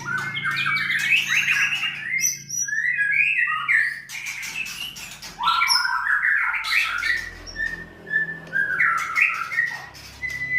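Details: Song of a contest-class white-rumped shama at a Sragen breeding farm in Plupuh: bursts of quick whistled and warbling phrases separated by short pauses, with a few high sharp notes, over a constant low background hum.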